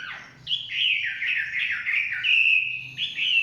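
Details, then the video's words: Chinese hwamei in forest delivering a rich, loud warbled phrase of fast slurred whistles, held strongly for about three seconds after a brief pause. "Nikmatnya kicauan wambi/huamei hutan.."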